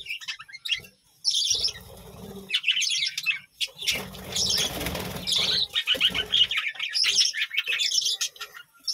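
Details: High budgerigar chirps from a village farm colony come in short bursts, partly masked by loud wing flapping and rustling in the middle.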